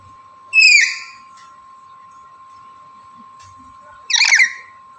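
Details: Male black-capped lory in breeding condition calling a female: two loud, harsh, downward-sweeping squawks about three and a half seconds apart, against a steady electrical hum.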